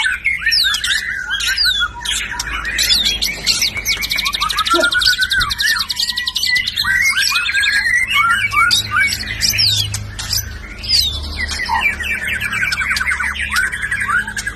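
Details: F (filial) series white-rumped shama in full, loud song: fast mixed phrases of clear whistles, buzzy trills and quick rattling bursts, with short dips between phrase groups.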